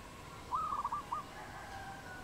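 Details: Wild dove in Cambodia, recorded 22 April 2020: one short phrase of quick staccato cooing notes at mid pitch, slightly falling, over a steady background hum.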